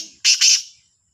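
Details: Morning call of a Black francolin labelled Sahiwal, dated 18/09/22: two rapid, loud, rasping bursts joined together, fading quickly into silence.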